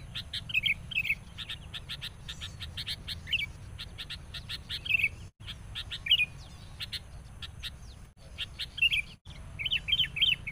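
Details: Decoy sooty-headed bulbul raging against a rival while trapping birds. Repeated gurgling warbled phrases mix with many quick, high, sharp chirps; brief dropouts break the sound, and a low hum runs beneath.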